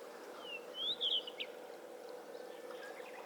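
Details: Blue rock thrush calling: a short burst of thin, high whistled notes, first a sliding whistle, then a brighter rising-and-falling pair, then a brief clipped note, over a steady low hum and faint background noise.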